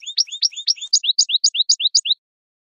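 A European goldfinch sings a bright tinkling twitter, then a run of quick paired notes, high then dropping, about five per second. No other sounds.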